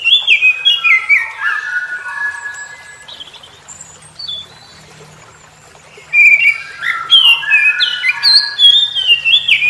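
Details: Oriental magpie-robin in morning song, responding to other magpie-robins. Two bursts of fast, rich whistled phrases with chattering notes, separated by a few seconds of near silence.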